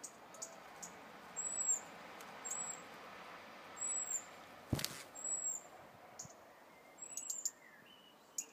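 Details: Robin defending a hanging-basket nest holding four chicks in a front garden: piercing high, thin whistles repeated about once a second, plus a few sharp ticks and a brief thump midway.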